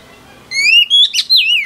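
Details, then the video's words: Newly wild-caught female oriental magpie-robin singing to stir up males: after a quiet start, loud clear whistled notes, a long rising whistle followed by quick wavering and trilled phrases. "Choè than mái bổi lên giọng hót kích trống cực chất"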